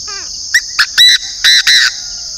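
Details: Northern decoy Chinese francolin calls loudly: two quick harsh notes followed by three drawn-out rasping syllables in about one and a half seconds. A continuous shrill insect hum runs behind it.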